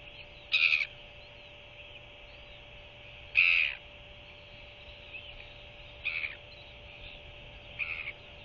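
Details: Newly hatched royal albatross chick begging as its mother feeds it by regurgitation in the evening, 21 January 2023: four short, high, hoarse peeps spaced about three seconds apart, two louder and two softer, over a steady low hum.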